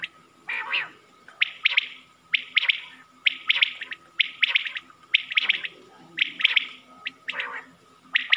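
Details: Quail from a Mianwali hunting cassette, its call meant to draw in birds: steady triple-note chirped phrases, about one a second for over eight seconds, with a thin steady tone running underneath.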